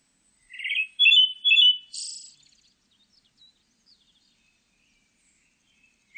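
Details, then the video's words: Pale thrush, recorded 2020: a burst of three rich, warbling whistles ends in a short high hissing twitter. Faint soft ticks follow in the otherwise quiet remainder. "흰배지빠귀, 여러번 듣기, 곤충소리, 새소리"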